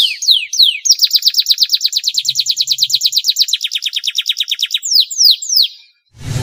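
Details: Canary delivering a long, elaborate song meant to coax silent canaries to sing: a few swooping whistles open into a long, rapid rattling trill lasting nearly four seconds, ending with falling whistles and a brief thud.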